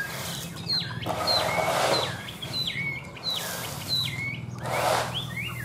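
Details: Tame caged Chinese hwamei delivering loud, rich whistled phrases with sharp upward and downward slurs, grouped in bursts separated by short pauses, over a low steady hum.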